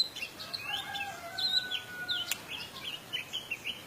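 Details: Orange-headed thrush in 'teler' style with rich mimicry fill-ins, played as a lure to rouse other birds to sing. Varied high whistles, slurred notes and short chirps mix with two long, steady lower tones.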